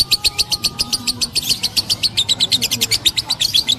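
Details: High lovebird chatter called ngekek, crisp chirps repeated nearly four times a second in an even, insistent stream, with faint background hum.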